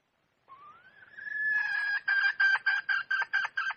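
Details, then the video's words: Red junglefowl hen: a long, smooth rising note swells and levels, then turns into a string of clipped, harsh clucks repeated roughly twice a second. "Suab poj qaib qus seev zoo heev"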